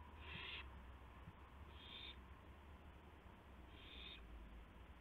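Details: At night in early April 2016, an owl brings a gopher to another owl. Three breathy, rasping screeches, each about half a second, spaced evenly apart against a constant low rumble.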